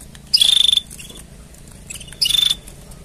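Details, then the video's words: Canary mating song: two bright, rapid, high pulsed trills about two seconds apart, each roughly half a second long, with a faint short note between them. "Tone Up Your Canary's Singing with These Mating Sounds!"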